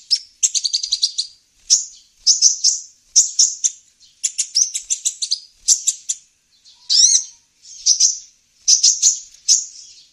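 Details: Lure recording of a sunbird for attracting wild birds, with about ten bursts of rapid, very high, sibilant twittering. The bursts are evenly spaced roughly a second apart, and one includes a steep upward-sweeping whistle.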